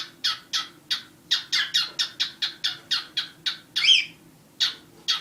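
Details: Two pet cockatiels, one black and one white, give a rapid run of harsh, screechy calls, about three per second, broad and mostly high-pitched, with a faint low hum underneath.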